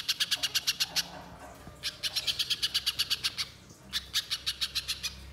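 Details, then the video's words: Spiderhunter lure for encouraging song: three separate quick bursts of rapid, harsh chip notes, each about a second long, divided by brief pauses. "Pancingan Pijantung Pisang Agar Bunyi Gacor Konslet Mbeset Panjang"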